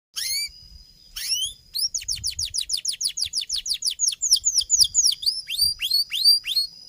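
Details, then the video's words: Canary singing a long, lively song: two brief high chirps, then a fast run of repeated downward-sweeping whistled notes, about three per second, shifting into upward-curving notes near the end; quiet background. "Cuit cuit Suara Kenari Gacor Panjang"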